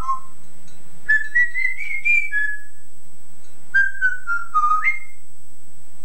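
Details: Yellow-naped Amazon parrot, male, kept in a family home, imitating his owner's singing voice on an old recording: a gradually rising sung phrase ending in a held note, a pause, then a falling phrase that jumps up at the end.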